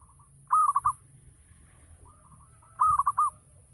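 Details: Local zebra dove singing a full 'ngayer' lure song meant to prompt other doves to answer: two rolling phrases of four quick, mellow cooing notes, with a softer, fainter phrase between them and a low background hum.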